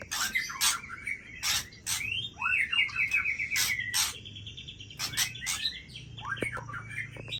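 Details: White-rumped shama singing at midnight with varied whistles, sharp ticking accents and a quick trilled run of rising notes, phrases changing constantly over a soft low background hum.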